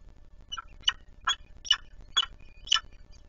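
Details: Peregrine falcon at feeding time in Warsaw, Poland, 26 April 2020, 10:05. Five short, harsh, rasping calls come roughly every half second over a low background hum.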